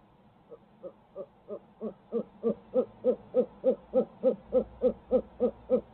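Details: Barred owl from Midtown Tulsa on a live camera feed: a long, very regular run of about twenty hollow hoots. They start soft, swell steadily louder and stay evenly paced at roughly three per second.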